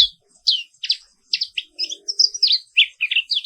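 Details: Morning song of the black-capped white-eye of Indonesia: lively high chirps and slurred whistles strung together almost without pause, some notes rising, others falling, in a continuous rolling pattern.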